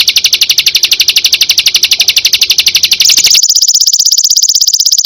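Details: Combination tembakan song of the perenjak (prinia): a fast pulsed trill that abruptly jumps higher after three seconds and continues as a thinner, quicker ticking series.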